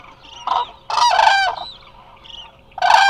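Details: Resting Eurasian cranes at Hula Nature Reserve, Israel, on a live camera: a few strong, harmonic bugling calls, one long trumpeting note in the middle and another starting at the end, with quieter calls between.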